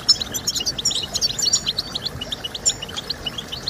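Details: European goldfinch singing: rapid, bright twittering of short high chirps and trills, densely packed and tumbling without pause, over a soft low background hiss.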